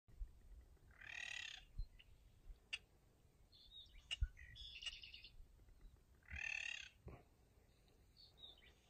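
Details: King rail in a tidal salt marsh at Panacea on Florida's northern Gulf coast, 17 February 2019 at 9:00 a.m., giving two harsh, raspy bursts about five seconds apart; faint high chirps from small birds and a low background rumble.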